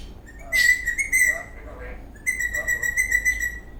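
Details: Eastern rosella parrot, dancing in a happy mood, gives two long clear whistles near one steady pitch, each broken into rapid pulses, separated by a short pause.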